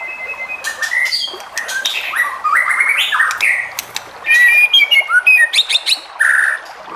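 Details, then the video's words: White-rumped shama singing to provoke other shamas to answer: a loud, varied run of whistled phrases mixed with harsh buzzy notes and rapid chattering trills, nearly continuous. "MURAI BATU JENIS APAPUN PASTI NYAUT EMOSI DAN GAK BISU LAGI DENGAN SUARA MURAI BATU INI"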